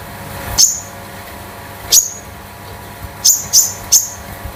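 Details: Home-kept konin past its spotted juvenile stage, used for tutoring other birds: sparse, thin, high chirps with quick downward flicks, single at first, then a close group of three near the end.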